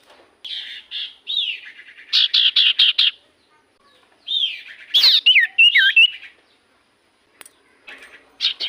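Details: Common iora in active song, played as a lure; stuttering buzzy notes in rapid series, then looping, wavering whistles and sharp clicks, separated by short silences.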